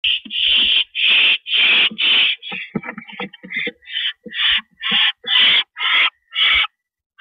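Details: Owl at its nest during a rabbit delivery on a porch, 3:52 AM on 7 May 2012, one owl bringing the rabbit to another, which carries it inside. Harsh, hissing screeches repeat about a dozen times, broken midway by short clicks and rasps.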